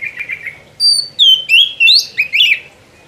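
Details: Oriental magpie-robin song, loud and close: a soft buzzy trill followed by five or six strong whistled phrases, sliding notes rising and falling sharply, each lasting about a quarter second.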